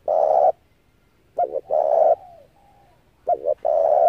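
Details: Cooing of a Spotted dove as a trapping lure: long coos and a doubled coo-long coo phrase, with soft descending notes in between.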